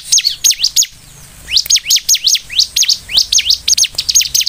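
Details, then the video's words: Vigorously singing Bar-winged prinia (ciblek) used to stir other prinias into calling: clipped, bright chirps sweeping steeply in pitch, delivered in fast runs after a near-silent pause of about half a second. "SUARA CIBLEK GACOR INI ( Pancingan ciblek)"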